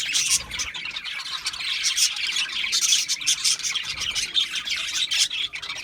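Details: Parakeets chirp in a lively, unbroken jumble of shrill twitters and short squawks, with loud bursts every second or so.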